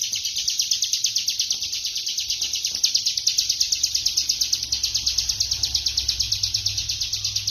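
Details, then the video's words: Rapid, non-stop ngebren song of a bar-winged prinia, a high, piercing chatter of tightly packed notes swelling in regular beats roughly three per second, unbroken throughout, with a soft low hum underneath. "Burung ciblek kristal ngebren rapat"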